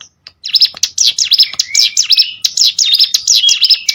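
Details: Hill prinia song for training competition birds: a fast, continuous string of sharp, high swooping chirps, each note dipping and rising, delivered loudly with hardly a break.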